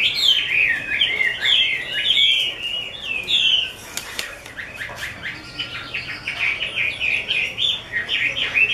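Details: Chinese hwamei, 'mơ' type, kept by an artisan: loud rapid whistled warbling with fast up-and-down slurs, a short quieter pause midway, then quick repeated chopped notes.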